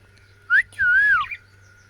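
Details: Cockatiel (Nymphicus hollandicus), song.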